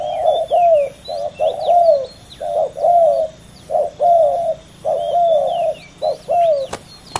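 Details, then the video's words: Two male spotted doves contesting fiercely on the ground. Repeated throaty coo phrases in bursts of two or three, roughly one per second, with thin high twitters of other birds in the background. "ต่อดินนกเขาใหญ่ ดุเดือดคู่นี้!!"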